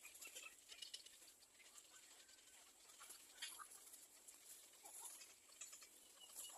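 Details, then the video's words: A little egret chick begs its mother for food, pecking at her, with rapid, harsh, high chattering notes in ragged bursts over a steady hiss. "Little egr bird wants to bite its mother for food"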